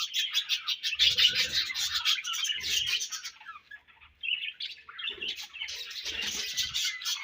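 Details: Budgerigars at feeding time, exchanging food: bright, busy twittering chatter that fades briefly midway, then returns as rapid squeaky warbles.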